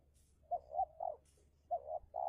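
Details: Spotted dove cooing as a decoy bird in a heated contest luring a wild dove: a quick pair of soft, hoarse coos, then a longer rolling coo, a pause, and a repeated two-part coo phrase. The background is quiet with faint low hum.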